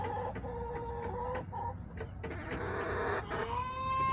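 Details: Chickens in a backyard on July 18, 2024, producing a series of steady tonal drawn-out clucks, a noisy scratchy stretch, and a rising sustained call at the end.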